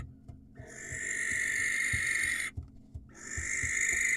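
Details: Male barn owl, wild, screeching to draw in a female: drawn-out rasping hiss, a brief break, then another screech, with steady low tapping or thumping sounds throughout.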